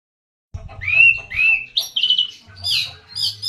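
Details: Oriental magpie-robin singing a lure song: after a short silence come loud whistled phrases that rise and fall, followed by quicker higher notes. A low rumbling hum runs underneath.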